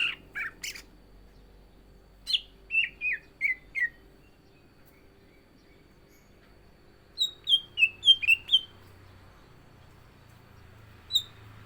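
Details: Cucak ijo (green leafbird) in contest-ready form, singing a varied song: sharp chirps, then a run of down-slurred whistles, a gap, and a quick cluster of falling whistled notes ending with a single high note.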